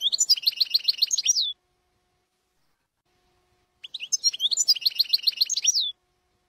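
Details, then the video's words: Jordanian-style goldfinch song, recorded as an error-free tutor tape for song learning. Two rapid phrases of quickly repeated, bright chattering notes each last about a second and a half. A pause of over two seconds separates them. No other sounds are heard. "شريط تسميع حسون لغه الأردن خالي من الأخطاء"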